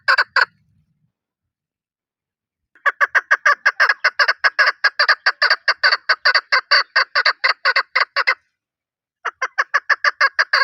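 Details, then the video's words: Chukar partridge calling in a long, steady series of harsh clucking notes, about four per second, in one sustained run after a short opening burst, then resuming after a pause. "Chokor call"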